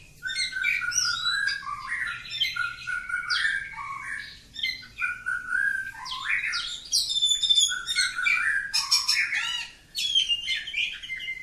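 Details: Kacer kampung oriental magpie-robin singing a long, unbroken song: rapid, varied whistles, chirps and sliding notes tumbling one after another, with a brief pause near the end, all against a quiet background.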